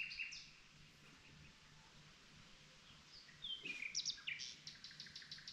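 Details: Common nightingale heard at night, singing varied phrases: scattered high whistles and slurred notes, then a rapid run of repeated staccato notes delivered fast and loud, with a faint low hum beneath.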